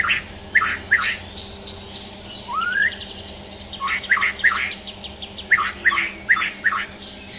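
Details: White-rumped shama, champion bird in a mental test, repeats loud harsh chattering bursts in clusters, with one rising whistled slur in the middle and faint background hum.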